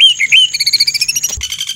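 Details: White-rumped shama song in a rough rapid-fire style: clear rising whistles followed by a quick regular trill of paired high notes about ten per second, ending in a buzzy high rattle.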